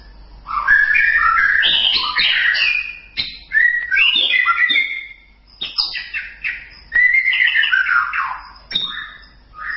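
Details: White-rumped shama singing a training recording: rich, varied phrases of loud whistles, slurred rising and falling notes and sharp chips, delivered in bursts of about two seconds separated by short pauses.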